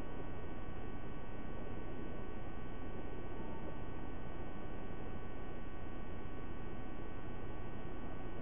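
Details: Steady electrical hum and dense static noise throughout, with no animal calls.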